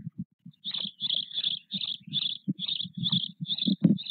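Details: White stork (Ciconia ciconia) chicks, four nearly equal-sized nestlings with their father at the nest, Nové Mlýny, Czechia, 8 May 2024: a quick run of hoarse, hissing squeaks, about three each second, over a low thumping rumble.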